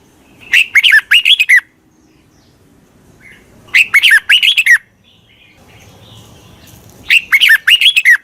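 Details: Decoy red-whiskered bulbul calling wild birds: three short liquid phrases of looping, rising and falling notes, spaced about three seconds apart, with quiet gaps between.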